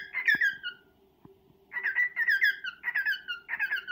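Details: Male cockatiel courting a female: one brief falling warble, a quiet gap with a couple of soft taps, then three quick groups of squeaky whistled notes over a faint hum.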